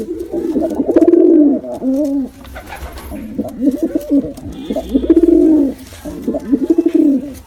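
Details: Repeated pigeon cooing from a male and female pair: five or six low, bubbling phrases, each rising slightly then sliding downward, with short breaths between and faint room noise.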